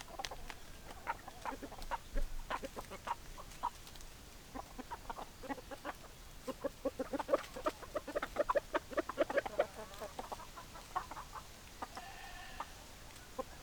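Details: Chickens clucking: a dense stream of short, sharp clucks from several hens, overlapping and quickening into a busy chatter midway, with a brief drawn-out harmonic call near the end.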